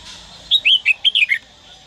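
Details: Red-whiskered bulbul from Dak Lak, Vietnam, a trained bird kept for singing, gives a short phrase of six rapid, clear whistled notes, rising then falling, lasting under one second; faint background hiss.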